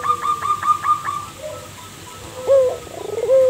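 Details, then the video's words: Local zebra dove, a lively singer used as a lure bird to draw replies, opens with six quick clipped higher notes in a rapid even series, then a pause and several lower rolling coos, with light background hiss. "Perkutut lokal gacor pancingan"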